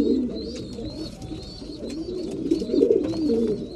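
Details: Breeding pigeons during mealtime produce a continuous low, murmuring coo chorus, overlapped by a steady series of faint high whistled squeaks.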